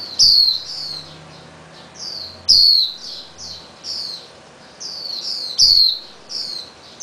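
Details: Released Swinhoe's white-eye fledgling, earlier fed by parents through a cage, hopping about garage beams as parents bring red berries; repeated high, sharply descending chirps in irregular runs, several loud, others softer.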